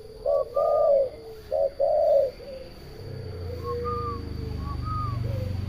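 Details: Spotted dove cooing: two loud low cooing phrases of short and drawn-out notes in the first two seconds, followed by softer, more distant coos with faint higher notes over a low rumbling background.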